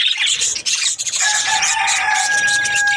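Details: Budgies in busy, rapid chatter of high scratchy notes and twitters; a steady, pure whistling tone joins halfway through and holds to the end beneath the chirping.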